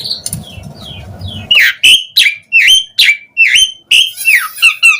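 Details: Lure recording of an Asian pied starling singing to prompt other starlings to answer: after a low noisy start, a run of loud squeaky whistled notes with hooked upward inflections, repeated in rapid succession.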